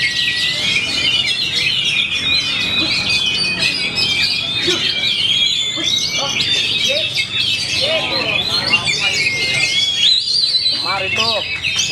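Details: Champion caged Oriental magpie-robin (kacer), Black Cobra type, pouring out a fast, varied song of high twittering notes, sliding whistles and rapid trills, while a man comments in the background.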